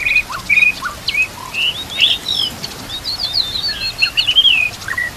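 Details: White-rumped shama song for training other shamas, with running water hissing steadily: a medley of short whistles, low upturned notes and a fast high twittering passage.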